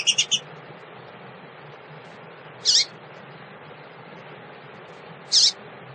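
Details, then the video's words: Female double-collared seedeater calling to stimulate males: a quick burst of three high chirps, then two single sharp high notes spaced about two and a half seconds apart, over a steady low hum. "fêmea de coleiro chamado pra esquentar"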